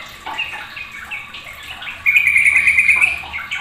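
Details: Noisy sooty-headed bulbul that gets other birds calling: soft scattered chirps, then a loud fast trilling phrase lasting about a second, over low background noise.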